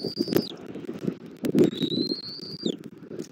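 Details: Bald eagle, the male at its nest in Southwest Florida feeding the chick on a January morning at 09:15; two thin, high whistled notes, each held steady then dropping sharply at the end, over steady low rustling and wind.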